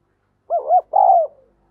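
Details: Decoy spotted dove calling to lure wild doves in, giving a mellow, low coo: a quick double-humped note, then a longer, steady drawn-out coo that fades away, with quiet all around.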